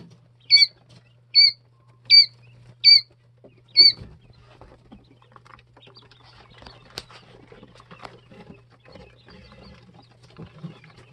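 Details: Two- and three-day-old Jumbo White Quail chicks give five loud, evenly spaced high peeps in the first four seconds, followed by soft rustling and scratching with a faint steady hum.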